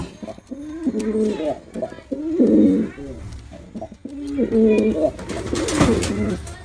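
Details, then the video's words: Male pigeon performing indoors: a run of low, wavering coos, broken into short rising-and-falling phrases, with some rustling and clatter near the end. "Pigeon Sound Effect || Male Pigeon Super Performance || Male Pigeon Sound"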